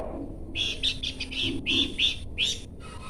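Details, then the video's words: Horsfield's babbler singing: a series of about seven short, clear whistled notes, some with a slight upward inflection, delivered in quick succession over a low background hum. "UNIKNYA SUARA DAN GAYA BERKICAU BURUNG PELANDUK SEMAK"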